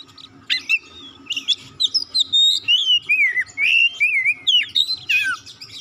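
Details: White-rumped shama song used to call and stimulate other birds to sing: rich varied whistles, slurred rising and falling notes and harsh buzzy bursts in quick succession, with a faint steady hum underneath.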